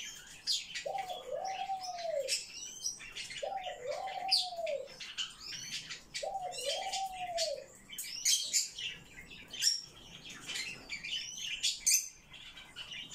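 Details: Eurasian blue tit giving high, thin chirps and short sweeping notes in bursts. A lower, curved swooping note repeats roughly every two seconds beneath them.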